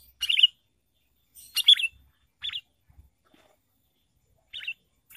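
Sooty-headed bulbul giving short, bubbly, liquid phrases at mid-high pitch, four bursts in five seconds with irregular pauses; no other sounds.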